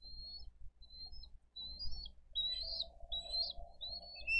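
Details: Thin, drawn-out whistles that grow louder and more frequent toward the end, from a Dade County bald eagle nest cam on 22 April 2023 during fish feeding of the elder and younger eaglet; steady wind noise throughout.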